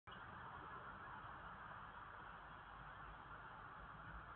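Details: Continuous low rumbling noise, like distant traffic or machinery, fills the whole stretch without any distinct animal sound.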